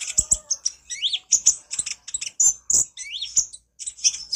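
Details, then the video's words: Konin in lively, chattering gacor nyrecet song, recorded as a master for training birds: a dense run of high, sharp chirps and short rising-falling whistled notes, closely packed with brief gaps. "Masteran burung konin gacor nyrecet cerewet"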